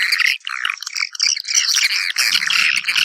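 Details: Swiftlets calling companions to their nests: rapid high twittering and scratchy chirps, rising and falling, dense and overlapping throughout.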